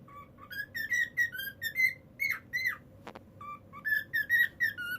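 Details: Pet cockatiels give a run of clear whistled notes, some flat and some rising or falling, repeated about twice a second with one short pause, over a faint low indoor hum.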